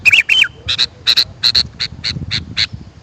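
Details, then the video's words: Sooty-headed bulbul call for luring wild birds: it opens with two buzzy notes carrying slurred whistles, followed by a steady series of short, harsh chips repeated about four times a second. "Suara Burung kutilang"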